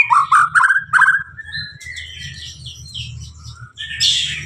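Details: White-rumped shama of the Blorok type giving an intense song: rising whistled notes repeated several times, then a long sweeping whistle and a harsh high burst at the end, over a low background rumble.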